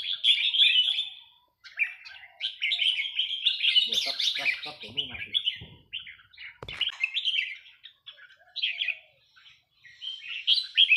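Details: Red-whiskered bulbul of Burmese origin singing in the counting-flower song style: a busy run of bright, high chattering and warbled notes with brief pauses, several sharp clicks midway and a man speaking faintly.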